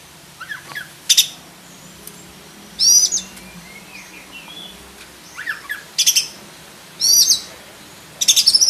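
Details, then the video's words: Oriental magpie-robin of the black-breasted form delivering loud, high chirped phrases and rattling bursts every second or so, mixed with softer descending whistled notes against low background hiss. "KACER DADA HITAM ISIAN FULL ISTIMEWA"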